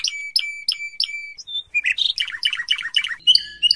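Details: Spanish Timbrado canary singing in training audio for canaries, 2014–2015: a few repeated high notes that end in a flat whistle, then a quick burst of varied chattering syllables and a short sustained whistle at the end.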